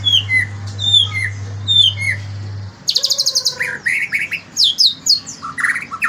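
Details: White-rumped shama (murai batu) singing in the morning: clear whistled falling notes, then a burst of rich, varied rapid phrases with buzzy and sweeping elements; a steady low hum fills the first half.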